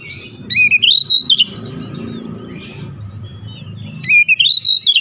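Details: Song of a kacer, or oriental magpie-robin, used to excite other birds: two fast bursts of sweeping, looping whistles, with softer twittering between them and a low hum beneath.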